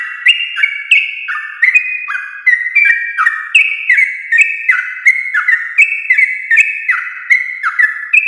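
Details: Morning ropel song of sooty-headed bulbul, played to prompt other bulbuls to join in; a steady stream of bright, flat whistled notes hopping between pitches, overlapping like a chattering chorus, each note starting with a sharp click.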